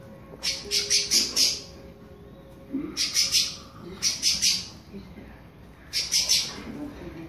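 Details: Warming-up pale-breasted thrush delivering its classic song in short, sharp high-pitched bursts of three to five quick notes, each burst separated by roughly a second of quiet with faint low background hum.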